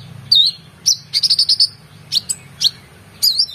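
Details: Brown-throated sunbird singing energetically for teaching competition birds: bright whistled notes bending down then up, a quick stuttering run of repeated chirps, and wavering high phrases, over a low hum.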